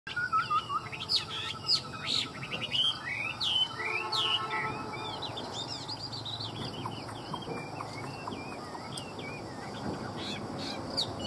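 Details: Chinese hwamei singing a varied, rich run of whistled phrases: a descending note series, then quick looping and slurred whistles at shifting pitches, delivered with irregular pacing over a low background hum.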